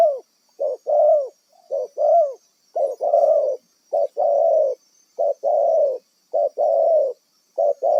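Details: Spotted dove from the wild, used as a decoy for catching birds, producing a long run of rhythmic cooing: clipped notes alternating with longer, arched coos roughly once per second, faint steady high hum beneath.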